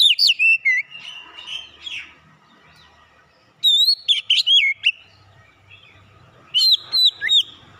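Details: Oriental magpie-robin (kacer) lure song, loud and varied: rapid whistled phrases with sliding slurs and sharp high clicks, delivered in three bursts separated by quiet gaps.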